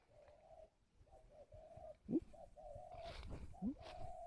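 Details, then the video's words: Spotted dove from a bird farm in Ba Vì district, Hanoi, Vietnam, giving calling coos: steady mid-pitched hooting notes in a broken series, mixed with short human voice sounds and a few soft knocks. "Gáy gọi"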